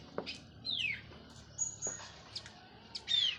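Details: Orange-headed thrush of the Cililin local line, just out of moult, sings sparse phrases: a clear falling whistle, a thin high held note, short clicks and a final bright downslur.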